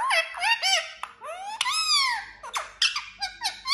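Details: Talking parrot in a steady stream of squeaky, speech-like syllables, including a long arched whistle that rises and falls, with fast rising chirps near the end.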